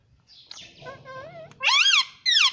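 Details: Pet green ring-necked parrot talking in Hindi, saying "mummy": soft wavering notes lead into two loud, rich, rising-falling syllables.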